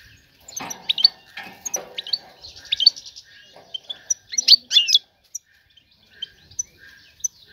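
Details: A female European goldfinch, ready for mating, calls to lure a male: a burst of rapid rising chirps at the start, then softer twitters and a loud cluster of tweets near the middle.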